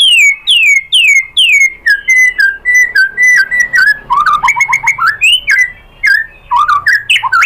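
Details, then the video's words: Varied white-rumped shama song meant to make other shamas reply: loud downslurred whistles, steady flat whistled notes, then quick jumbled chattering and looping whistles. "SUARA MURAI BATU bikin BUNYI jadi NYAUT"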